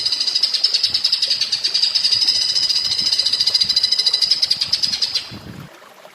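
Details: Greater green leafbird (cucak ijo) master song in platuk bawang style: a sustained rapid series of high, sharp repeated notes, about three to four per second, holding steady for five seconds before fading into quiet background.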